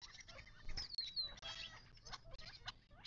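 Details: Desert birds at a watering hole in the western Mojave Desert, southern California, near Joshua Tree National Park, give thin high chips and a downward-sliding whistled note, with soft scratchy and pattering sounds.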